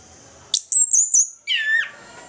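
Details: Morning ngeplong phrase from an orange-headed thrush, used to coax silent thrushes into song: four very high rapid notes, then a loud downward-sliding whistle.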